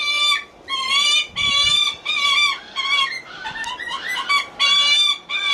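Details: Lanner falcon at a bird park in Kakegawa calling in a sweet, coaxing voice to ask for attention: harsh, nasal, even-pitched calls repeated in bursts of about half a second, about eight in a row, with a jumbled stretch in the middle.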